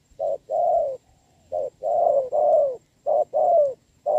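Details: Rain-soaked contest between a decoy and a wild spotted dove, 26 November 2022; mellow repeated coos in short-then-long pairs, some long notes running together, steady rhythm throughout.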